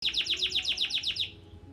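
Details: Canary just after its moult, beginning to sing again, gives a rapid trill of about ten identical high, downward-sweeping chirps, roughly eight per second, lasting just over a second before falling silent over a faint low hum.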